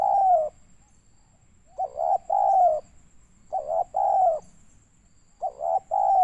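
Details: Indonesian spotted dove from Pekanbaru, Riau, giving a 'banggo sayur' coo used to lure birds into traps: steady mid-pitched hooting phrases, a brief clipped note followed by a drawn-out coo, repeated four times in quick succession.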